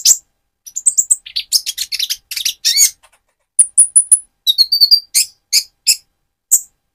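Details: A Van Hasselt's sunbird (Leptocoma sperata), kept bird, sings a thin, very high twittering song: quick bursts of sharp chips and short metallic trills with brief pauses, used as a prompt song to rouse other sunbirds.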